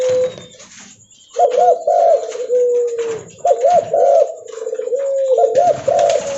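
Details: Spotted dove, called tekukur or derkuku leopard locally, calling loudly while walking; repeated low cooing phrases, each a quick bubbling double coo followed by a longer drawn-out coo, with a hissy, roomy background.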